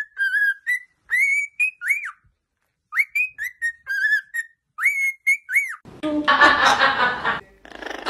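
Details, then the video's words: Pet parrot mimicking a human song, whistling a tune of clear, sliding notes in short phrases with brief pauses, then a loud, harsh burst of noise and a person saying "good boy". "FUNNY PARROTS SINGING"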